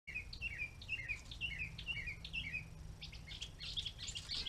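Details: Red-bellied woodpecker calling in a quick series of short, slurred, falling notes, about two per second, over steady low rumbling noise, with other faint bird chips toward the end.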